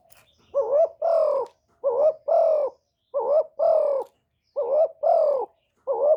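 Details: Spotted dove used as a decoy bird, giving a one-ending call meant to provoke and lure wild doves: soft wavering coos in pairs, a short quavering note then a longer, steady, slightly falling one, repeated about every 1.3 seconds.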